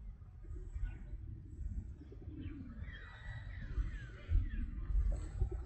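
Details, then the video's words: Soft, distant pigeon cooing, low and murmuring, with faint falling whistled notes from other birds and a steady low hum underneath. "Pigeon Sound"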